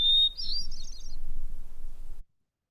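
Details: A hermit thrush recorded near Boulder, Colorado, opens with a long pure whistled note, then breaks into a quick fluty flurry of higher rising notes, over a low rumble.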